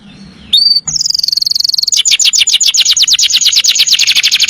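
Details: Canary singing in the 'nembak panjang' long-trill style: a brief chirp, then a sustained high whistle that breaks into a long, fast, even trill of rapidly repeated sharp notes, clear and loud, with no other sounds.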